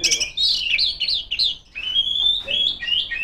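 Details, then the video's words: Female Oriental magpie-robin singing at rivals: fast chattery notes, then a clear long rising whistle after a brief pause, followed by more quick warbled phrases. "suara burung kacer gacor ngeplong memanggil lawan"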